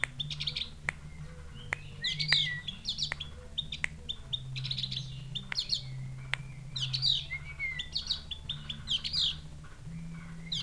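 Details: Javan grey-throated white-eye from Mount Wilis, whose voice sounds like a chick calling its mother. A bird being tamed gives scattered high chirps and brief whistled slurs, with frequent sharp clicks and a constant low hum.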